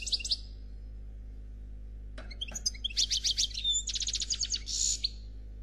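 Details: Goldfinch song of the Noir Khalwi type, given as a fault-free performance: a brief high twitter, a pause of nearly two seconds, then fast bright trills and a closing buzzy note.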